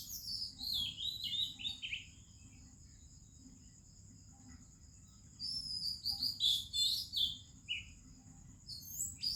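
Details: Indian morning with an Oriental magpie-robin singing: a burst of rich descending whistles, a few seconds of near silence with a steady high insect drone, then a fresh flurry of sharp, varied notes.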